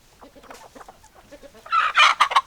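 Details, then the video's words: Hens clucking: soft, low, evenly spaced clucks for over a second, then a loud, harsh, rising squawking burst from a hen that dominates the close. "Chicken Sounds Noises Hens Clucking Roosters Crowing"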